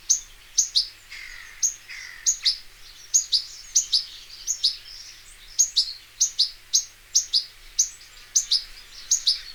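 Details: European goldfinch, locally called Arous al-Turkman and Taqtaq Shouk, recorded in nature: bright, sharp high chips repeated about twice a second, with a few lower slurred twittering notes early on, over a quiet background.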